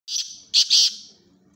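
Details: Black francolin, known locally as kala titar, a bird kept for chakri tournaments. A harsh opening note is followed by two loud, grating, high bursts in quick succession. The background is quiet.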